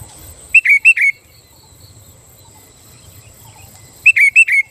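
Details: A sooty-headed bulbul in full voice, song said to provoke other bulbuls: two bursts of three clear, rounded whistled notes separated by about three seconds of near silence with a thin high hiss.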